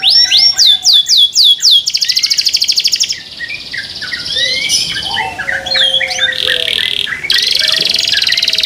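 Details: Canary in a breeder's care singing rapid sweeping chirps, then a harsh buzzy rattle, varied twittering phrases and further dry trills, with a faint lower whistle from another bird underneath.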